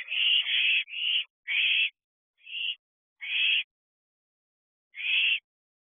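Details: Owlet and adult owl allopreening in a nest box at 3:05 am on 7/4/23, during a heat wave: harsh, hissing screeches in uneven bursts, some run together, then spaced out with pauses.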